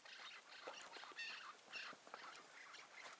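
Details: Chukar partridge beside a mountain road on the morning of 15 March 2020, later released back into nature, gives harsh, raspy clucking notes in quick uneven bursts, about two a second, over a hissy, noisy background.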